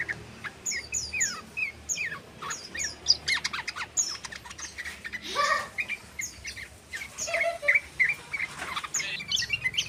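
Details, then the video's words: Sooty-headed bulbul practising a long trilling song, short bright chirps and slurred whistled notes in loose bursts, one louder swooping call midway, other birds chirping around it. "SUARA BURUNG TRUCUKAN BELAJAR ROPEL"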